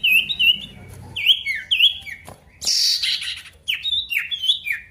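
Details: Lively male pied bush chat calling a rival, giving bright whistled phrases that swoop down and level off, repeated several times, with a brief rough scratchy burst in the middle.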